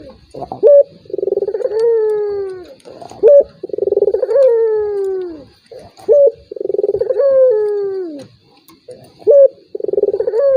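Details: Turtle dove lure call, used to provoke a rival dove that is reluctant to call: four repeated phrases, each a short loud note, then a rapid rolling purr sliding into a long, falling, mellow coo, about every two and a half seconds.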